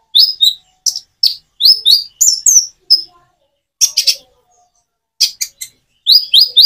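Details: Song of a common iora with natural pauses between phrases: clusters of high, upslurred chirps in quick pairs and triplets, separated by short silences, with a few scratchy notes.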